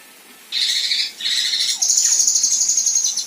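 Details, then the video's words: A female kinoi gives the rough "shot" and slashing calls used as song-tutor material for contest birds: high, harsh, buzzy rasping bursts, then a longer, still higher, fast trembling trill over faint background hiss. "Besetan Dan Tembakan Kasar Kinoi Betina"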